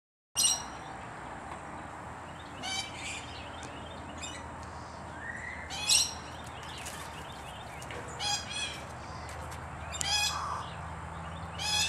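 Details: Green aracari calling: short, harsh, buzzy notes with stacked overtones, given singly or in quick clusters at roughly two-second gaps, with a steady low hum and faint chirps beneath.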